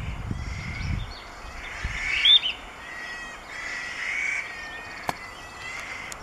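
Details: Firethroat at Erlangshan, Sichuan, 25 May 2015, sings bright, high warbled phrases with a sharp whistled note, over a low rumble of wind at the start and a single click.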